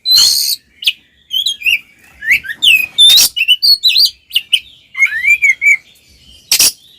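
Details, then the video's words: Oriental magpie-robin singing an aggressive fighting song meant to rile rival males: clear rising and falling whistles mixed with scratchy bursts and chattering notes, delivered in quick uneven phrases. "SUARA BURUNG kacer gacor NGEPLONG TARUNG konslet paling AMPUH buat PANCINGAN KACER agar EMOSI"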